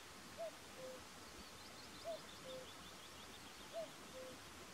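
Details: Short-eared owl (Asio flammeus flammeus) in the mountains of Härjedalen, Sweden, gives soft two-note calls, a short higher note then a lower even hoot, three times at about two-second intervals over faint rustling; short-eared owl.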